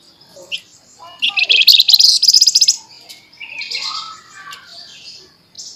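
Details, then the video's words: A flamboyan sings a training song in energetic, rapid chattering style: scattered soft chirps lead into a loud, fast, high rattling trill of evenly repeated notes lasting about a second and a half, then softer warbled phrases. "FLAMBOYAN GACOR FULL NEMBAK NYERECET MBESET TAJAM"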